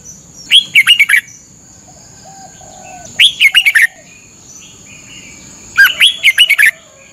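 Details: Red-whiskered bulbul from Thailand, recorded as a caged bird's morning training song: three bright, bouncy phrases of rapid whistled notes, about every two and a half seconds, plus a soft low chirp and steady high hum.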